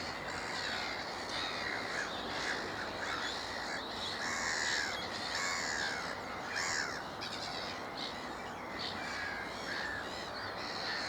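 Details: Juvenile black-headed gulls at Moors Pool, Upton Warren, Worcestershire, England, mid-June 2019: scattered rough, slurred squawks, some rising then falling, spaced irregularly against a dense background of many calling birds.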